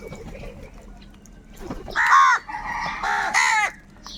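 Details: Crows squabbling over food give loud, harsh, drawn-out caws, one strong call then two longer grating ones in quick succession, above a low background hum.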